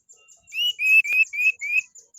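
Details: Orange-headed thrush song used as a morning lure to make captive birds sing: a run of five clear whistled notes near the same pitch, rising slightly, with faint high thin notes above.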